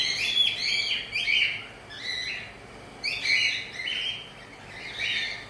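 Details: Cockatiels mating; a cockatiel gives bright, high chirping and warbled phrases in short bursts about every one to two seconds, with quiet pauses between.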